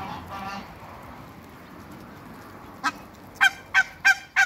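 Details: Backyard African geese, two pairs sharing space with Muscovy ducks, give a soft murmuring call at first, then after a lull burst into five strong, brassy honks spaced about a third of a second apart.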